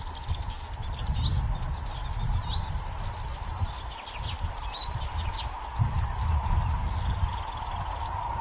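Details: Blyth's reed warbler singing at Haga kile on 26 May 2024: a continuous run of short, high chips, trills and whistled notes, partly masked by a steady low rumble and a constant mid-pitched hum.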